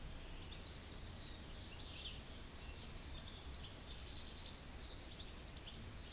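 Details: Eurasian goldfinch giving a continuous, fast, liquid twittering of high tinkling notes, jumbled and chattering without pause, over a constant background hiss.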